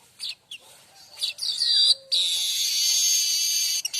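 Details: Tutor song of a streaked weaver for training magpie robins and white-rumped shamas: scattered high chips and squeaks lead into a swelling, intense sizzling buzz that runs steadily for nearly two seconds.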